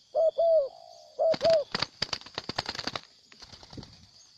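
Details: Wild spotted dove gives two low paired coos, followed by a rapid burst of sharp clattering clicks and rustles, possibly wing flaps, against a high insect drone.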